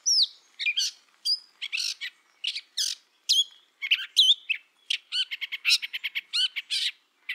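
A Gray Catbird gives a rapid, jumbled run of squeaky, scratchy and whistled phrases, some sliding down, with brief pauses between notes and no other sounds.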